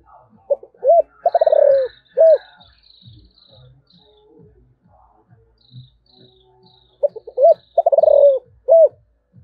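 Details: Spotted dove in the 'giọng thổ' voice style giving its calling coo: two bursts of low, hollow, fast-pulsed cooing phrases ending in a rounded note. Faint high chirps from other birds or insects run through the pause between them.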